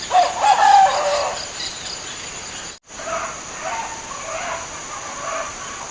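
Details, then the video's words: Wild local zebra dove, known as perkutut, giving a quick burst of trilled, rattling coo notes in the first second, then fainter distant calls over a steady high insect buzz. "Perkutut Lokal liar"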